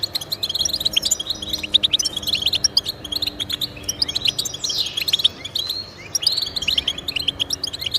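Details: European goldfinch song played to encourage pet goldfinches to sing: a fast, continuous twittering of short high chirps and trills, with quick notes tumbling over each other and a brief sweeping phrase just past halfway.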